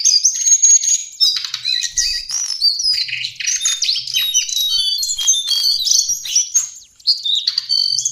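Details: Tutor song of a lesser shortwing (jongkangan coklat): a dense, unbroken stream of high twittering notes and fast trills, mixing clear whistles with scratchy, chattering elements for about eight seconds, with one brief dip near the end.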